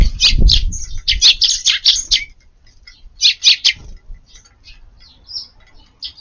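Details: Sparrows feeding hurriedly in a garden at lunchtime on 3/9; a quick run of sharp, high chirps for about two seconds, a short burst of three more, then scattered softer chirps, with low rustling and thumps early on.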